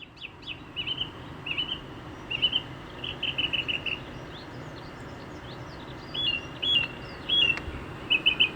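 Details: Song thrush singing in the wilds of Hampshire, England: clear whistled phrases around the upper-middle range, some notes repeated two or three times in quick series, with short pauses between phrases over a soft rural background hiss.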